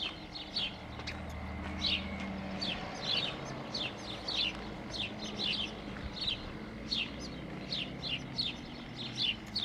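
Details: Sparrows giving short repeated chirps, several per second in uneven bursts, over a low steady background hum.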